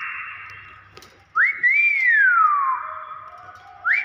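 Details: Common hill myna from Borneo giving a natural whistle: a loud, rising then long slowly falling pure whistled note, another rising note starting at the end, over a steady humming background.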